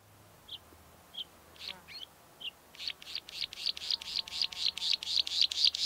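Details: A Bluethroat of the northern red-spotted form in the Karkonosze mountains opens with a few spaced, high chirps, then breaks into a fast, buzzy run of repeated notes, about four a second, growing steadily louder.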